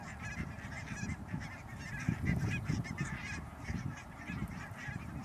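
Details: A flock of barnacle geese at Schouwen-Duiveland and Goeree-Overflakkee, Netherlands, on 16 March 2009 gives short, yapping, dog-like barks that overlap continuously, over a steady low rumble of wind or distant noise.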